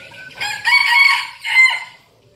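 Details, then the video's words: Loud two-part crow of a captive decoy red junglefowl in Bình Phước province, Vietnam: a long harsh first phrase and a shorter clipped second note, then quiet. "Vẻ đẹp và giọng gáy của gà rừng mồi"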